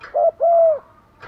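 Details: Single low coo from a decoy spotted dove luring wild doves: a short note, a tiny gap, then a longer smooth coo that drops slightly at the end.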